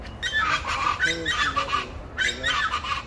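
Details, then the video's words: Chachalaca calls: coarse, clucking, harmonic notes in a rapid rattling series, pausing briefly and then starting again. "Se me adelantan las chachalacas"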